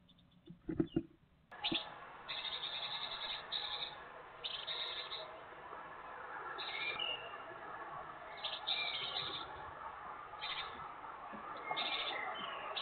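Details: Great tit chicks, a brood of eight around 20 days old, leaving their nest box in late morning: bursts of high, thin chirps repeated in short clusters over steady background hiss, with a brief low knock near the start.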